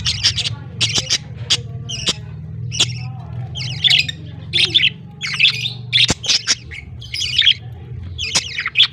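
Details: Baby budgerigars begging as the male feeds them, October 18, 2023. Rapid series of short, hoarse, scratchy squawks, some doubled, repeated irregularly for nine seconds against a low background hum.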